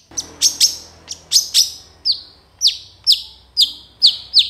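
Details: Long-tailed shrike in full song, used to teach other birds: sharp high chips, then a steady series of clear whistled notes that slide downward, repeated about every half second.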